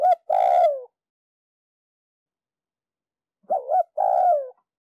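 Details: Decoy Spotted dove from Ninh Thuận, Vietnam, calling on a wooden block in the 'lơi chay' manner to encourage other doves to coo. The tail of one phrase, then after about three seconds a full phrase: clipped double coo and a long falling croo.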